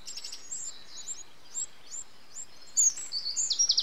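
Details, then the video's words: Nestling Eurasian wrens begging as adults feed them, 8 June 2013: high, thin, curling squeaks in quick irregular series, rising to a louder, denser flurry of chirps in the last second. "Eurasian Wren (Troglodytes troglodytes): Adult feeding nestlings"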